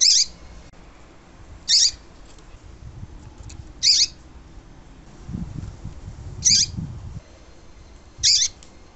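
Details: Tui tui song of a double-collared seedeater, used to make a cold male start singing. Five brief high, sharp bursts repeat roughly every two seconds against steady background hiss, with a low murmur in the middle.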